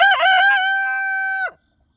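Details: An Easter Egger rooster crowing in the morning gives a single loud crow: a broken, rough opening that settles into a long, steady, nasal held note before cutting off sharply.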